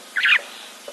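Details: A Red-billed Buffalo Weaver, one of those nesting in the tree above a waterhole camera on 5 March 2024, gives one short, harsh, fairly high squealing note, over in a fraction of a second, against quiet background hiss.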